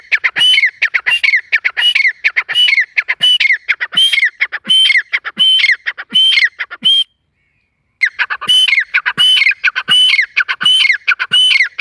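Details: A forest partridge gives a long series of loud, grating, ringing phrases with a bright whistled element, repeated steadily about once a second. The series breaks off for a second midway, then resumes.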